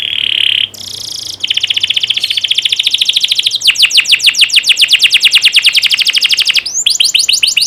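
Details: Canary song used as a training recording to get young canaries singing well: a steady buzzy note, then a long rapid trill of repeated sweeping notes that grows louder before a brief pause and another trill.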